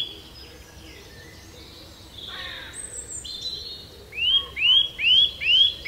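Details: Birdsong in a quiet natural setting: faint high notes at first, then a string of four loud, clear, rising-then-falling whistled phrases about every half second near the end.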